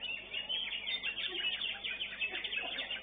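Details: Caged greater green leafbird singing in a bird-song competition at Divarina Srengseng, placed fifth. It gives a dense, unbroken warbling torrent of rapid chirps and slurred notes, with fast continuous variation.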